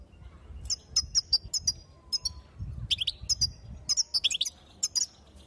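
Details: Female European goldfinch calling to excite and ready the males: short, very high, thin tinkling chirps in loose runs, with two slurred twittering bursts near the middle and end. A low rumbling hum runs underneath.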